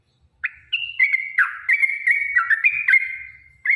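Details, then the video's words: Short stretch of a yellow-vented bulbul's long fighting song, played to get other bulbuls singing: a run of clear, slurred whistles rising and dipping, joined closely together in a chattering phrase. "trucukan gacor TARUNG ROPEL PANJANG pancingan trucukan agar bunyi"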